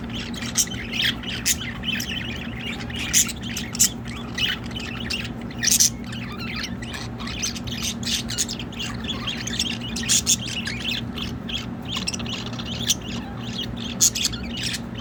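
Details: Pet budgerigars kept in a patio, waiting for a shower, warble and chatter nonstop, with sharp squawks and clicks breaking through the busy twittering.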